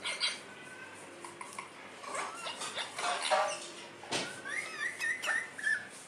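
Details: Talking parrot known for saying "mummy": soft murmured notes first, then a series of bright upward whistled sweeps, with a clack partway through.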